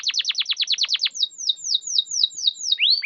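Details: Canary singing to coax quiet, stubborn canaries to respond: fast run of steep downward sweeping notes, then slower descending whistles spaced evenly, closing with a rising upslurred whistle.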